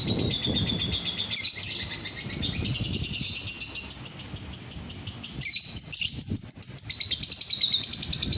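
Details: Long unbroken lovebird song of rapid, scratchy high chirps and trills, rising and falling in short phrases, played so other lovebirds will start singing too.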